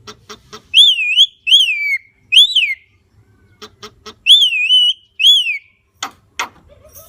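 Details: Javan myna mixing short clicking ticks with long, wavering whistled notes that rise and fall, and ending in two harsh, grating bursts.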